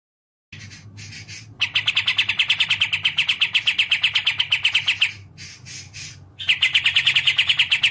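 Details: Olive-winged bulbul (kapas tembak) kept as a songbird: after quiet, softer bursts lead into a long fast rattle of sharp high chips, a pause, then another quick series; faint hum underneath.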